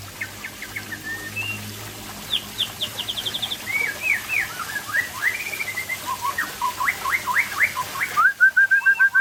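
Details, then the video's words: Aceh-type white-rumped shama showing off its afternoon song: varied whistled phrases, then fast trills of repeated notes and rolling rippled figures that grow louder toward the end. "Murai Aceh"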